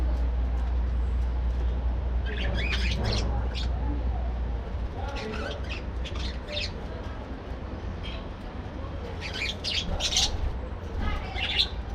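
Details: Morning activity in a captive breeding colony of budgerigars: several bursts of scratchy, chirping chatter, fairly loud, repeated irregularly through the recording above a constant low rumble.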